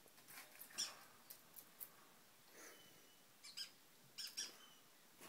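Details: A 7-month-old male Eleonora cockatoo gives scattered short, scratchy squeaks and harsh bursts at an irregular pace, fairly quiet, in an indoor room.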